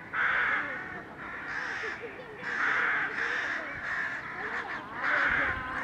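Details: In May, a crowded crow colony gives many harsh, overlapping caws at once, in bursts about every second or two, a busy chorus with a faint background murmur.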